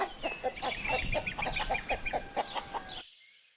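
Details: Hens clucking in a quick run of short, throaty clucks, roughly five per second, steady for about three seconds before cutting off into near silence; a faint steady tone hums in the background.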